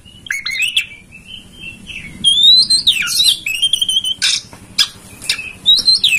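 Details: Oriental magpie-robin master song for prompting a kacer to spread its tail and sing: sweet whistles mixed with harsh scratchy notes and sharp clicks over a steady low hum.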